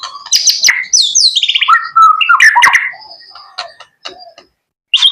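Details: Young male white-rumped shama kept as a pet, singing a loud, varied burst of rich whistles, quick rattling trills and sharp chirps, tapering into scattered softer notes with short pauses before a final bright phrase.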